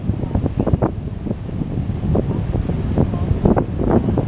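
Gusty wind buffeting the microphone over low surf and wash of waves, with no clear bird calls heard.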